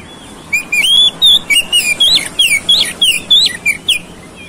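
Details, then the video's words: Lure song of the oriental magpie-robin for triggering a fast fighting response: about ten ringing whistled notes, slurred up and down, repeated at a brisk, steady pace over a faint background hiss. "PANCINGAN KACER CEPAT RESPON NGOTOT TARUNG"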